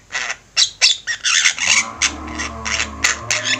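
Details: Active Javan myna flock, master recording for training: loud, raspy squawks in quick succession, some long and noisy, others short and clipped, with a low hum beneath.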